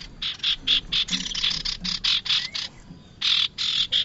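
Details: Bar-winged prinia calling, a recording used to lure the species for trapping: loud, scratchy notes in a quick regular series, about four per second, broken by a short pause before resuming.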